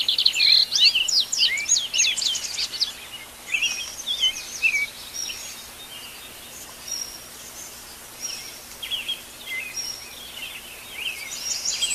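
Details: A natural dawn chorus recorded live: an energetic burst of high, chattering notes from several birds, then scattered chirps and short phrases that come and go against a quiet background hiss.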